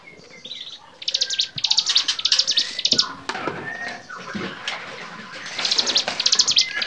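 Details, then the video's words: Bar-winged prinia song for songbird training, heard in two bursts of fast, buzzy, high-pitched rattling notes separated by a quieter stretch. Background whistles and twitters come from other birds. "masteran cigun gacor variasi"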